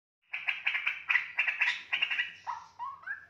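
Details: Young straw-headed bulbul, a single 2.5-month-old captive-raised bird kept in Java, already chattering. Rapid burst of harsh, buzzy repeated notes, then three short lower whistled phrases rising at the end.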